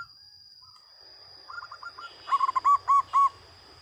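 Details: Local zebra dove giving its loud song: a soft trilled lead-in, then a quick run of five bright rounded cooing notes, with a constant faint high whine behind it.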